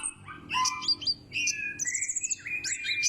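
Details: Loud-voiced pleci, the white-breasted white-eye: a brief, dense jumble of bright high twitters, short whistled slurs and sharp chips tumbling over one another for three seconds, with a faint low electrical hum beneath.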